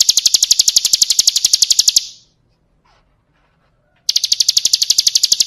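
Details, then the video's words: Training song of a Bar-winged prinia, 'ciblek kristal' type: a quick, bright trill of piercing high notes for two seconds, a two-second pause, then the same rapid chipping again. "Masteran Suara Burung Ciblek Kristal"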